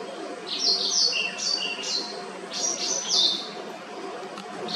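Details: Clear, rhythmic chirps and trills from a white-browed wagtail, high sweeping notes in quick bursts, with a faint low hum behind.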